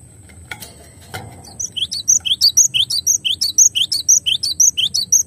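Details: Cinereous tit (glatik batu) used as a clear song-tutoring recording: two sharp clicks, then a long regular run of high, bright whistled notes in repeated short phrases, roughly two per second, over quiet background hum.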